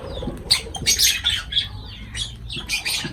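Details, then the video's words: Lovebirds chattering over food: bright, high-pitched squeaky chirps repeated every fraction of a second, interspersed with loud shrill bursts and a faint low hum. "Love birds voice sound"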